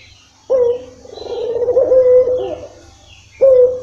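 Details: Puter (Barbary dove) lure coo to start a quiet bird calling: one long, low, slightly trembling coo after a pause, then the next coo beginning sharply.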